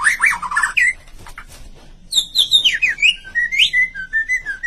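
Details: White-rumped shama delivering a short chirpy phrase of rapid notes, then after a quiet gap a run of clear whistled notes rising and falling, some slurred high and bright; soft background hum.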